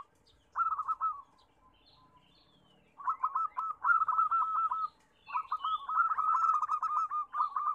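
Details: A crowd of local zebra doves whose loud song is played to coax reluctant doves into singing. A short cooing burst is followed by a pause, then long, rapid, bubbling runs of repeated coos, with thin high chirps of another bird.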